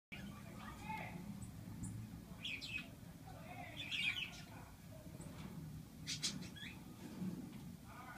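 Young budgerigars give scratchy, warbling chirps in short irregular bursts over a low background rumble.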